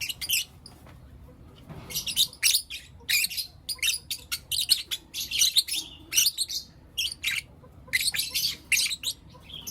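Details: Pet lovebirds, blue opaline and lutino opaline, chirping in the morning: after a quiet start, rapid volleys of sharp, scratchy high chirps in uneven clusters.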